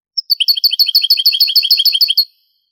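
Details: Old Spanish 1980s–90s recording of European goldfinch song in the Granada style: one high introductory note, then a quick, even series of bright repeated chirps lasting two seconds.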